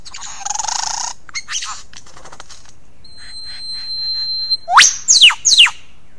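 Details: Lyrebird, a mimicking bird, giving a varied sequence: a harsh hissing burst, a brief rasping phrase, a long steady high whistled tone, then three loud, sharp whistles sweeping steeply up and down near the end.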